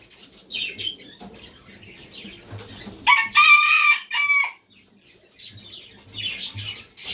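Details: Red junglefowl gives one strong crow, a rough, harmonic call of about one and a half seconds that ends with a brief clipped note. Lighter chirps and clucking-like murmurs come before and after.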